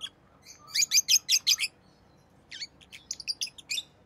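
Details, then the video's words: Rosy-faced lovebirds, orange-faced green and red-headed green birds, kept as pets, giving quick bursts of sharp high chirps, about six in a rapid run, a pause, then a looser scatter of shorter chirps. "Rosy Faced Lovebird Chirping Sounds"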